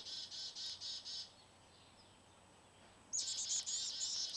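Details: Several quick, shrill chirping bursts from baby birds, then a quiet pause with faint hiss, followed by a louder run of high, buzzy chirps.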